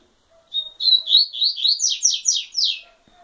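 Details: A double-collared seedeater sings a brisk phrase that opens on a thin steady whistle and breaks into a rapid string of loud downslurred chirps, the later notes pitched higher and harsher, over a faint low tone.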